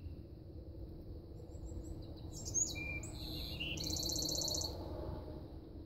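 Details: Possibly a golden-cheeked warbler, giving high, thin buzzy notes that end in a fast buzzy trill, over a steady low rumble of wind or distant traffic.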